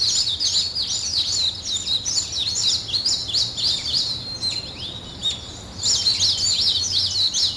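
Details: Early-morning birds: a steady stream of high, quick chirps and zigzag twittering phrases that pause briefly near the six-second mark and then resume, with faint low background noise.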